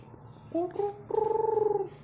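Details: Zebra dove kept as a lure bird for trapping: two short rising coos, then a longer pulsed, vibrating coo over about three quarters of a second, with faint background hum.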